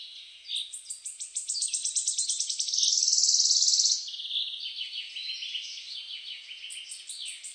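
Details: Birds chirping: dense, high-pitched twittering in rapid repeated notes that merge into a continuous buzzy trill midway, then thin out into scattered chirps.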